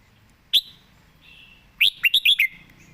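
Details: Red-whiskered bulbul perched and singing with good phrasing and quick delivery: one clear whistled note, a faint thin note, then a quick run of four bright, slurred whistled notes, in a quiet setting.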